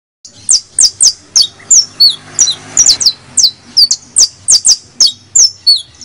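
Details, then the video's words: A creole canary (canario criollo) sings a rapid series of high, sharp chirps and short trills, about three notes a second, bright and piercing with slight variations; the audio is meant to excite other canaries. "AUDIO para ALEGRAR a nuestro CANARIOS CRIOLLO"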